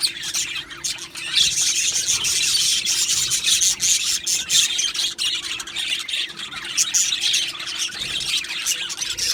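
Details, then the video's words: Aviary colony of Australian budgies giving a continuous rasping, scratchy chatter of overlapping high notes and squeaks, steady in loudness throughout with a faint low hum underneath. "Australian parrot Chirping Sounds | Australian Budgies Parrot Singing Video"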